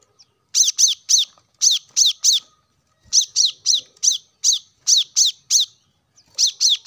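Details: Plain-throated sunbird, sound meant to make caged birds sing: fast series of high, piercing, downslurred chips in groups of three to four, repeating steadily.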